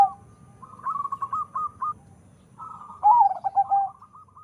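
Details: Zebra dove from a local-Bangkok crossbreeding line with a big voice. A softer trilled coo sequence is followed by a louder phrase: a sharp swooping note and several short pulsing coos.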